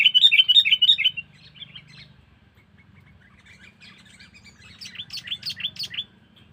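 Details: Sooty-headed bulbul lure call used to attract wild birds: a quick run of loud, bubbly whistled notes around five per second, a quiet pause, then another brisk burst of short rising-falling chirps with faint low hum beneath.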